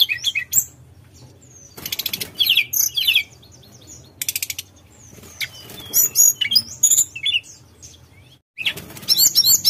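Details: Sunda robin singing nyuling ngerol style, with high looping whistled phrases broken by loud bursts of wing flapping and clattering against a low background hum.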